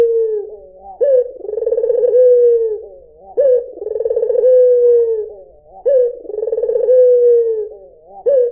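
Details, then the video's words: Repeated cooing of a white Barbary dove: a quick rising note, then a vibrating, rolling murmur easing into a long, gently sinking hoot. Three full phrases are heard, evenly spaced, in a quiet setting. "SUARA PUTER PUTIH || JERNIH 3 DETIK LANGSUNG NYAUT || SUARA BURUNG PUTER MERDU"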